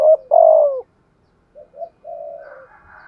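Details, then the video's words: Decoy spotted dove, 'giọng thổ' voice, in 'thúc gù' cooing: two strong hollow coos with the second long and falling, then soft short coos and a faint higher hum at the end. "chim cu moi thúc gù bài bản"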